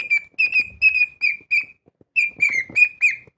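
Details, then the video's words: Loud domestic cockatiel song of bright, steady whistled notes, several drawn out and slightly falling in pitch, in two bursts separated by a short silence, with light scratching noises. "Корелла Гошка поет. Громко, красиво, артистично!"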